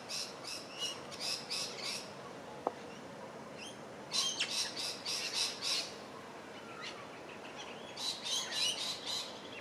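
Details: Crimson Rosella feeding in shrubs by Gardiners Creek, Melbourne, Australia, 27 July 2023, giving bursts of rapid, harsh chattering notes, three to six per burst, separated by short pauses, with one sharp click partway through.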